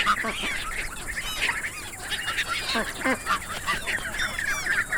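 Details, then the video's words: Continuous duck chatter, many birds giving short nasal quacks and squeaky notes over a steady hiss of background noise. "เสียงเป็ดร้อง ก้าบ ก้าบ Duck Sound (Quack Quack)"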